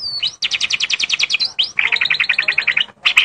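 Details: Lively magpie-robin song made of fast rattling trills, a high series of repeated notes, then a lower run of quick repeated notes, broken by brief whistled slurs.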